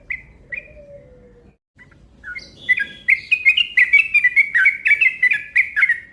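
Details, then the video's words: Yellow-vented bulbul in a long, rapid 'ropel' lure call: a few spaced chirps and a soft lower whistle, then a brief pause, then an accelerating burst of loud, bright chattering notes running quickly to the end. "Panggilan Burung Trucuk Ropel Panjang Gacor Cepat Bikin Emosi"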